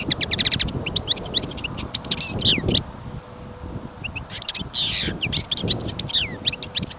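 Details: Caged European goldfinch, kept for listening, singing outdoors as snow falls and wind blows: fast tinkling twitter of high chirps, buzzy rattles and slurred whistles, a short pause midway, light wind rumble below.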